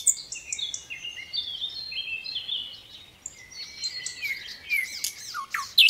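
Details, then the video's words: Little pied flycatcher singing a long, rambling string of thin high whistles and squeaky slurred notes, growing denser and sharper toward the end, over a soft background hiss. "Sikatan Londo Gacor isian MEWAH MASTERAN semua BURUNG TEMBAKAN RAPAT"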